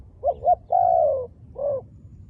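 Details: A wild dove with black-spotted feathers coos: two short hollow notes, a long level coo that fades slightly, then a softer single note.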